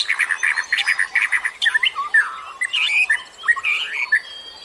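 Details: Busy birdsong used as a lure, a dense jumble of chirps and whistled notes, then looping slurred phrases that rise and fall, several voices mingling throughout.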